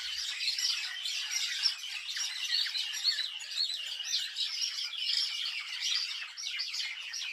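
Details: A loud continuous chorus of many birds chirping in a village, high overlapping twitters and chatters throughout.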